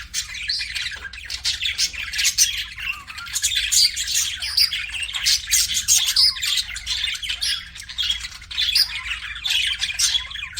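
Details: Budgerigars, more than one, produce rapid, chattering chirps and sharp tweets in a near-constant babble across ten seconds, with slight lulls around one and seven seconds.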